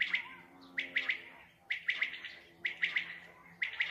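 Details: Common quail calling at night, a recording used in quail hunting: sharp three-note phrases, bright and clipped, repeated about once a second, with four phrases heard over a quiet low hum.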